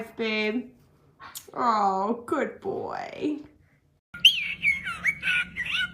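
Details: Pet parrot indoors producing voice-like harmonic sounds, then a run of bright, wavering, chirpy whistles after a short pause.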